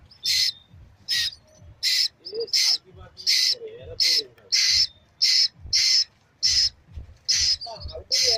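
A young Asian koel gives harsh, high, raspy screeches, one every second or so, in a steady series. Faint voices murmur underneath.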